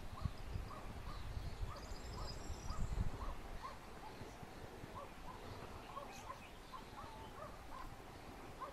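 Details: Wild European turtle dove in Lower Silesia, Poland, a seriously endangered species locally holding five nests and 14 birds in four square kilometres. Soft purring notes repeat about three times a second throughout, against low wind rumble and a faint higher bird trill.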